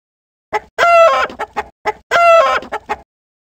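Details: Farm chicken calling: two drawn-out nasal squawking notes, each followed by short clucks, heard in two similar bursts over about three seconds, with a brief sharp cluck at the start.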